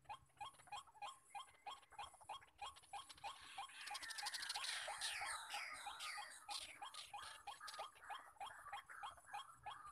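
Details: White-breasted waterhens, wild birds at a trapping spot crowded with calling males, give loud croaking kru-ak notes repeated about three times a second; midway a burst of high, chattering bird calls overlaps them.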